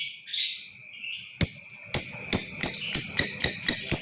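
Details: Lovebird sound intended to set off long trilling in another lovebird: soft squeaky notes, then crisp high chirps that quicken into a rapid rattling series near the end, over a steady faint whine.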